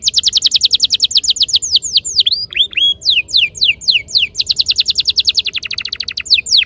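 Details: Canary tutor song played as a lure to get canaries singing and rolling: rapid run of bright downward-sweeping whistled notes, a stretch of slower looping slurs midway, then fast repeated strokes resume.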